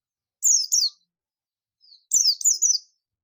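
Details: Clean ngalas call of a buxtoni Oriental white-eye calling companions: two pairs of shrill, high chirps that each fall quickly in pitch, separated by a second-long pause with a faint soft note.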